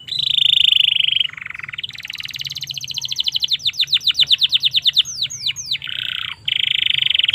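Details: Canary song for tutoring or luring young canaries: loud pulsed trill, lower buzzy passage, then a long accelerating run of sweeping notes, a few arching whistles, and another fast trill.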